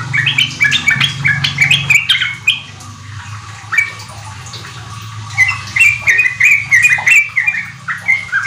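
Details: Sooty-headed bulbul singing hard, used as a lure for untrained kept birds to reach a riwik ropel style. Quick bubbly notes come in bursts separated by a short pause, over a low droning hum.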